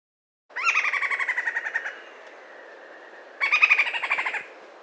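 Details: Golden-headed quetzal (Pharomachrus auriceps) in Ecuador giving two bursts of fast, chattering, cackling notes, about a dozen each, over a steady, high insect-like hum.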